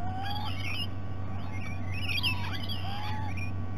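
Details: Rainbow lorikeets visiting at breakfast time at the BirdLife Australia Discovery Centre, Sydney Olympic Park: level whistled notes mixed with higher screechy squawks from several birds, over a constant low electrical hum.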